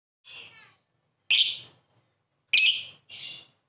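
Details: Lovebird song used as a lure to prompt lovebirds that are reluctant to sing: four harsh, buzzy, high chattering bursts of varying length, separated by short silences.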